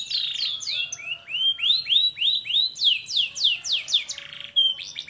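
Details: Canary belting out a master song to prompt other canaries to sing: a long series of arched, down-sweeping whistled notes, about three each second, with a short bright trill near the end.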